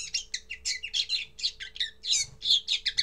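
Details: Common linnet singing for the first time, a brisk stream of buzzy chirps repeated several times a second, steady and evenly loud throughout.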